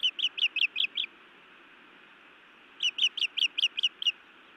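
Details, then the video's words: Female osprey at a nest in Montana scolds her mate, 31 May 2017 at evening: two rapid bursts of sharp, high, whistled chips, six then seven notes in quick series, separated by a pause, over a steady background hiss. "Feisty Iris scolds then bites Louis a time or two"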